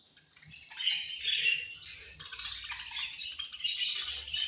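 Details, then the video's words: Budgerigars at feeding time, called angry while eating: rising scratchy chatter, denser in the second half, mixed with low thumps and rustling. "My Beautiful Budgies Angry Eating And Chirping Sounds"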